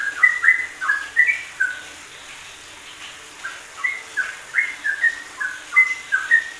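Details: Ropelan-style yellow-vented bulbul song for masteran: quick pairs of slurred whistles, a brief quiet gap, then more bubbly repeated phrases, over a light hissing background.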